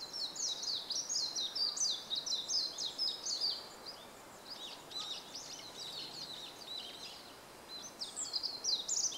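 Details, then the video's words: Warbling white-eye singing above a bamboo grove on 5 April 2014, a rambling, rapid twitter of very high chirps and trills in bursts, slightly distant, with steady background hiss. "メジロ"Zosterops japonicus"の鳴き声（囀り）"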